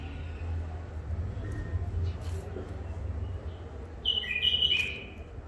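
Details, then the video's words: Wild-caught bulbul from Mandali, in its first isolation, sings a brief liquid phrase of sliding whistles at the close, following low background rumble and faint murmuring. "بلابل وحشيات خامات كاع منفذ مندلي لسانات روعه"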